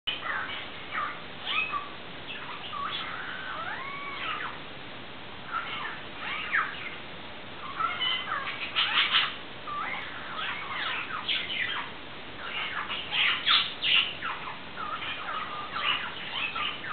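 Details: A pet parrot that greets the household cat on seeing it, saying 'hola' and asking where its boy is in Spanish, chatters in squeaky, talk-like bursts mixed with sweeping whistles and meow-like notes.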